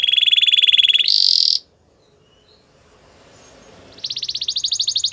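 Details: Belgian canary song played for training a silent canary to sing: a fast steady trill, a brief higher buzzy burst, over a second of quiet, then another rapid high pulsed trill resumes.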